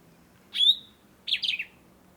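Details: Sombre greenbul (Andropadus importunus), call.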